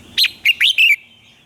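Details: A red-whiskered bulbul's morning song for training birds to sing: one crisp phrase of four clear, quick whistled notes, the first rising sharply, the rest swooping downward, against a quiet background.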